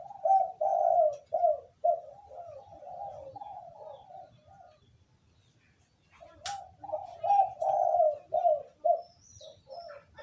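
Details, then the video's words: Local wild spotted dove (terkukur) cooing: a series of soft, low, rhythmic coos of varying length. The series stops for about two seconds, then resumes with a similar series. "terkukur/dekukur kuk 2 lokal alam suara mantap"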